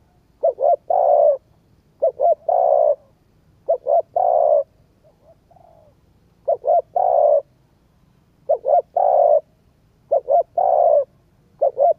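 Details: Spotted dove calls used to stimulate a decoy bird: repeated phrases of two or three short coos followed by a longer coo, about eight phrases with uneven pauses.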